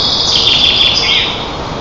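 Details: Eaglets and parent white-tailed eagles at a nest in Lower Kama National Park, Tatarstan, 25 June 2024, during a breakfast feeding, recorded by a nest camera. A brief burst of shrill, wavering squeals comes with quick clicks and background hiss.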